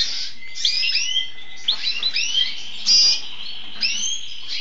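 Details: Red siskin crossed with an agate pastel red mosaic canary, singing a fast run of bright warbled and whistled phrases. Many short notes sweep up and down, with one thin steady tone held through the opening seconds.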